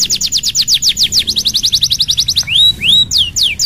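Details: Canary song used to coax a lazy canary: a rapid run of high falling whistles about seven per second, then slower rising swoops and a couple of long descending slurs; soft low hum throughout.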